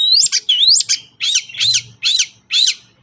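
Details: Long-tailed shrike in energetic full song, used in Indonesia as a lure to get reluctant shrikes singing: high, arching whistled notes, then a run of scratchy swept phrases, about five in three seconds.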